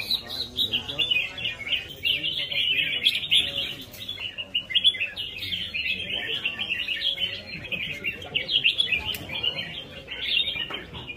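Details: Red-whiskered bulbul giving a rhythmic competitive fighting song: a dense, nearly unbroken stream of bright chirps and warbled notes that rise and fall, with a few sharp clicks and little other noise.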